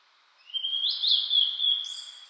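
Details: Blue-and-white flycatcher singing in the mountains in spring, on a cloudy 14°C day after rain, amid fresh green leaves; a long, high, clear whistled phrase that holds steady and wavers slightly, with a brief higher note near the end.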